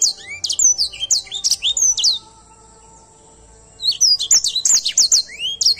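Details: Edel Sanger canary in full, energetic song: rapid runs of high, sharp, swooping chirps and trills, a sustained thin whistle partway through, then a pause of about two seconds before another fast burst of clipped notes.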